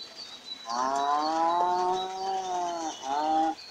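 A seabird gives a long, nasal, wailing call lasting about two seconds, then a shorter second wail, over a thin, steady high background tone.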